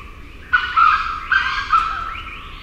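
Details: A grey junglefowl gives a loud, harsh, broken crow in about three jerky parts over two seconds above a quiet background, with other junglefowl giving reply calls in the background.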